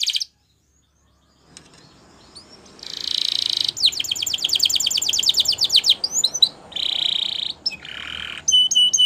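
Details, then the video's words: Canary singing as a training song. Brief notes open, then a silent pause, then a buzzy rolled tour, a rapid series of descending sweeps, short whistles and another buzzy trill, over faint background hiss. "Make Your Canary Singing Again !! Listening"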